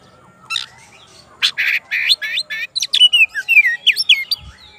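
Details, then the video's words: Oriental magpie-robin, a kacer calling its rival: harsh buzzy notes repeated several times, then a quick run of clear whistled slurs and downward chirps. "KACER GACOR MANGGIL LAWANNYA BIKIN NYAUT DAN NGEPLONG"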